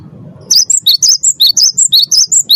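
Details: Cinereous tit, captive, its song played as a lure to make other caged birds sing: a steady string of about ten sharp high whistled notes alternating up and down in pitch, after a brief low rumble.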